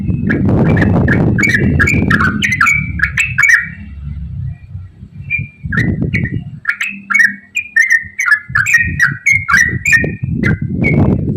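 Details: Lively yellow-vented bulbul 'ropel' song meant to coax other bulbuls into singing: bursts of chattering, liquid whistled notes broken by a short pause, over a steady low background rumble.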